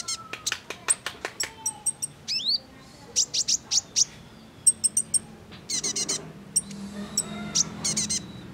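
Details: Calls of a female sunbird known as kolibri ninja, used to trigger male song: steady strings of sharp, high ticks, with occasional curled chirps and brief buzzy bursts.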